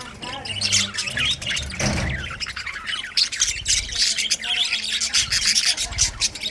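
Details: Budgerigars chirping in a winter session: a dense, continuous mass of high, rapid chirps and squawks from many birds, with a brief louder burst near two seconds and a low hum underneath.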